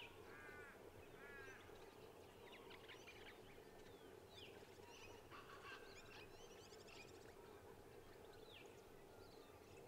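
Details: European goldfinch at Sandy Creek Conservation Park, South Australia, on 22 October 2023, twittering in a quick, varied run of tinkling, buzzy and slurred notes over a steady low rumble of background noise.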